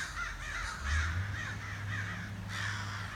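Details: Crows heard outside a back door: a run of rough caws sounding over a steady low mechanical hum that runs through most of the recording.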